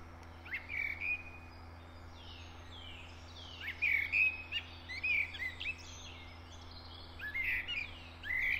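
A Eurasian blackbird sings short, mellow fluted phrases, each ending in a higher, scratchy twitter, with brief pauses between. A steady low hum runs underneath.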